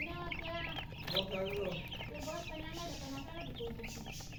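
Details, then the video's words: Thirsty baby chickens keep up a chorus of high, quick peeps while a person talks over them and low household hum continues underneath. "Murgi chicks Chirping sounds with thirst for drink water"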